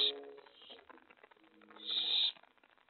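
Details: Owlets, five of them, at 2:50 AM on 25 May 2017, around a nest box porch, tray and lookout during a mouse delivery; two harsh, breathy hissing bursts, a short one at the start and a longer one near the end, with quieter rasping between.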